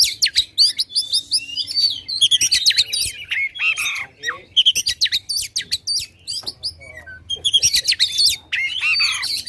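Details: Oriental magpie-robin, a loud, energetic contest-style bird used to provoke other contest birds, singing a dense run of sharp whistles, rapid chattering notes and harsh buzzy phrases in quick bursts, with brief pauses between bursts.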